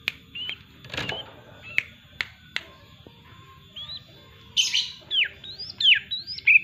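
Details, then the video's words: Yellow-vented bulbul in full song: scattered sharp clicks and brief whistles, then a run of bright, rising then falling whistled notes that grows louder toward the end. "Burung trucuk gacor"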